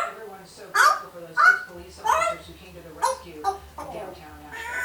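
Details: A one-year-old female African grey parrot kept as a pet blurts short talking-style phrases, perhaps practising "ho ho ho Merry Christmas," in loud bursts roughly every half second to second over a faint low hum.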